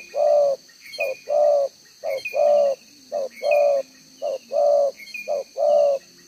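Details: Spotted dove used as a decoy, showing a double-row spotted neck collar, recorded June 2023. It gives a rhythmic series of short-then-long mellow coos in one-tail-note style, about one phrase per second, over a steady insect hum.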